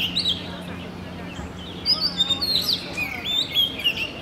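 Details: Oriental magpie-robin singing a varied run of clear whistled notes, some rising and some falling, loudest in the second half, over a steady low hum.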